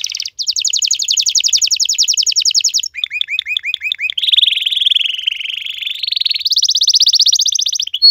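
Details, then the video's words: Domestic caged canary song: varied trilled phrases, a fast buzzy trill, then hooked repeated notes, a bright rolling tour and a final high rapid trill, all loud and continuous. "صوت كناري canary Mp3"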